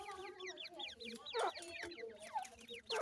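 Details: Several francolin chicks peep continuously, with quick high descending chirps overlapping in a dense stream, mixed with soft lower clucking notes and occasional thumps.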